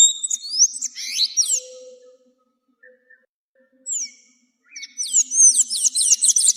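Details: Sayaca tanager singing a teaching song: squeaky high slurred twitters, then a pause with a few isolated chirps, then a quick series of sharp, high, upswept notes.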